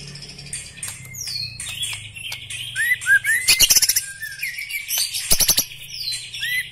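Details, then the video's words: Song of a black-legged white-rumped shama in its characteristic style: varied whistled phrases, quick upward-sweeping notes, and bursts of rapid, harsh clicking chatter, all rich and loud. "Ciri khas gaya dan Suara murai Batu kaki hitam istimewa"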